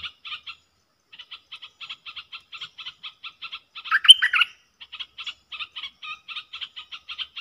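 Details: Bulbul of the southern dok taeng type, wild and strong-voiced, replying to a lure bird in a cage; long series of dry rhythmic ticks interrupted midway by one loud fluty warbled burst.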